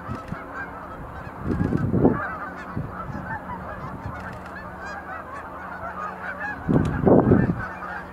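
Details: Sandhill cranes dancing with display leaps at Montezuma National Wildlife Refuge visitor center, November 2020; many birds give overlapping rattling bugle calls, with two loud low thumping bursts near the start and end.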